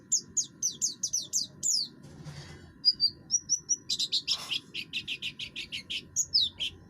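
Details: Oriental white-eye of the buxtoni form, rough-voiced song used to trigger singing in other birds: high descending chips, a brief noisy burst, then evenly repeated buzzy notes about four per second.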